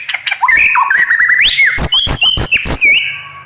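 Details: White-rumped shama, locally murai batu, delivering a continuous rich song of varied slurred whistles rising and falling, mixed with rapid loud clicking and chattering notes.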